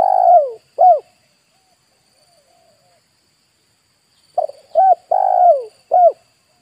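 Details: Spotted dove lure call aimed at wild birds, ending one phrase with a long falling coo and short coo, then after a pause a new phrase of stutter, short coo, long descending coo and closing coo.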